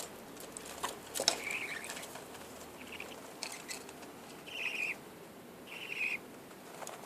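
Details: Budgerigar making several short, scratchy chirps spaced about a second apart, mixed with soft clicks, taps and rustling in a quiet room.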